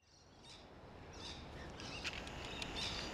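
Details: Rainbow lorikeets feeding on a large 'Kay Williams' grevillea in a back garden give scattered harsh, grating screeches in short bursts over steady rushing background noise.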